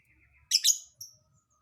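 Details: Lovebird singing an unusual, hard-to-predict song; two harsh, buzzy high chirps in quick succession, then a shorter thin note, in a quiet setting.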